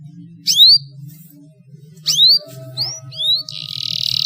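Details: Canary song played to prompt silent birds to sing: a few bright rising whistles spaced about a second apart, ending in a sustained buzzy trill, over a low steady hum.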